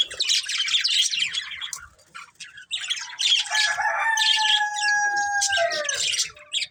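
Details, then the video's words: High, busy budgie chatter in bursts, joined midway by a sustained clear whistle that holds steady for about two seconds before dropping in pitch. "Cute Budgies Chirping Sounds"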